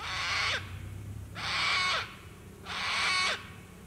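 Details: At sunset by the water at Lake Broadwater in Queensland's Western Downs, Australia, sulphur-crested cockatoos give three loud, raspy screeches, each about half a second long and spaced roughly one second apart, with a faint low rumble beneath.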